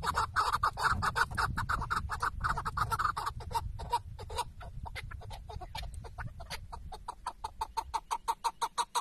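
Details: Chukar partridge tied out as a hunting decoy in Şırnak, Turkey: a loud burst of crowded clucking, then evenly spaced sharp chuck notes repeated about three times a second, over faint low noise.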